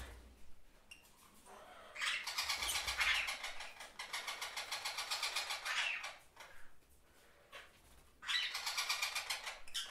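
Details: Parakeets chirping in bursts of harsh, broadband chatter lasting one to two seconds, separated by short quiet gaps, with a soft low rumble underneath.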